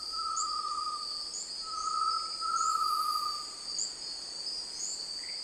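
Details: ['Great tinamou producing a run of soft, tremulous whistled notes that swell and fade, linked almost continuously for over three seconds, while insects chirp and drone steadily at high pitch.']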